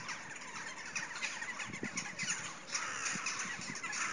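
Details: Crows gathering to roost on a winter evening at 55° north latitude, in darkness: a dense chorus of many overlapping cawing and squawking calls over a steady background roar.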